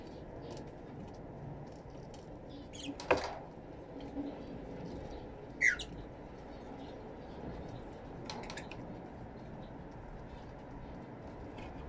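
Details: Fischer's lovebirds in an aviary, recorded with two external microphones: a few sharp, shrill chirps and squawks stand out at irregular intervals, about three in twelve seconds, over steady low background hum.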